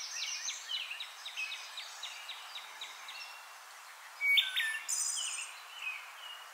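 A loud fluty phrase with a high, buzzy trill, typical of a wood thrush song, follows a faint run of quick repeated chirps from another bird.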